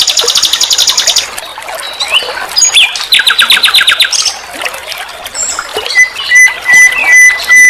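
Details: Common nightingale, known locally as sikatan londo, sings phrases meant as a vocal model for cage songbirds: a fast buzzy rattle, a short gap, a lower pulsed trill, then long pure whistled notes repeated at the end.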